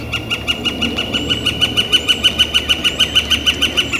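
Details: A Northern flicker gives a fast, steady string of ringing, repeated notes, roughly five each second, loud and unbroken, recorded outdoors on a warm, clear spring day, April 28, 2014, with low rumbling background noise.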